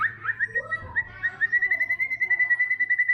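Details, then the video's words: White-rumped shama singing gacor: a rapid, even series of sharp chirps about eight per second, steady in pitch and growing stronger, after a few softer rising notes, with a faint low hum. "MURAI BATU TROTOL GACOR! WHITE RUMP SHAMA BIRD CHRIPING"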